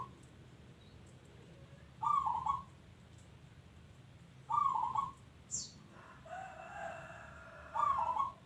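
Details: Local zebra dove singing actively. Short, burry, trilled coos repeat every two to three seconds, with a brief high chirp and a softer, droning phrase between them.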